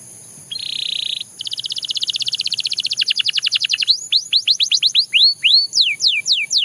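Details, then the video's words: A Belgian canary sings a buzzy flat roll and a long accelerating rattle of short notes, then switches to loud, hooked whistled notes that dip and rise. "The Most Effective Canary Singing Sound – Belgian Canary Edition"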